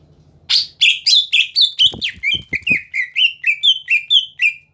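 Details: Rapid chain of whistled notes from a caged greater green leafbird used to stir rival birds into song, the notes arriving about four per second, with several low thuds in the middle and faint hum beneath.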